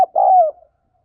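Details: Single spotted dove coo, a sustained throaty note that slides gently downward, used to stimulate decoy birds, preceded by a sharp click.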